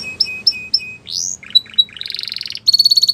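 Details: Canary song aimed at stimulating canaries to sing: clipped high notes, a rising swoop, short chips, then rapid rolling trills at two pitches.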